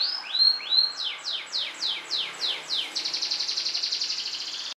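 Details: A pet yellow canary sings bright, high phrases: two upswept whistles, then rapid descending sweeps breaking into a fast, even trill.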